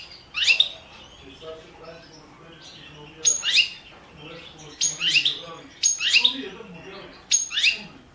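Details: European goldfinch of the Balkan subspecies balcanica, recorded for a 2017 internet world championship in goldfinch song run by a Serbian breeders' association; five bright bursts of twittering, steeply falling sweeps about a second apart, with a faint low background hum.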